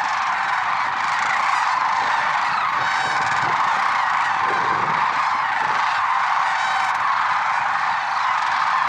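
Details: Lesser sandhill cranes at Merced National Wildlife Refuge, early morning on February 6, 2023: a dense, unbroken chorus of many overlapping honking, rolling calls, steady and loud throughout, with brief sharper notes rising above the mass.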